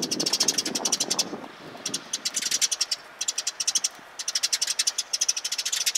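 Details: Sparrows gathering to get food, recorded 27 March 2022: bursts of quick, shrill chirps in fast series separated by short gaps, with some low rustling noise early on.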